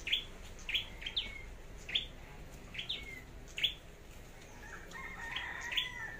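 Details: Flowerpecker kept for competitive singing and decoy use in Long Thành, Vietnam, giving high sharp chirps with short falling tails roughly every second, then a softer stretch of fainter notes.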